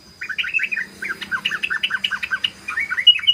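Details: {'caption': 'Rapid ropel song of a sooty-headed bulbul: after a brief quiet start, quick liquid chirps tumble in an unbroken stream, loudening toward the end over a thin constant high tone.'}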